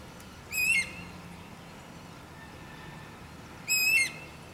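A Guira cuckoo gives two short, harsh whistled notes that slide slightly downward, about three seconds apart, over a quiet background hiss.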